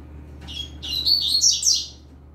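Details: Novice double-collared seedeater singing firmly, recorded for training, with a green-winged saltator in the background; a quick, scratchy, high twittered phrase building in loudness and then fading, over steady low hum.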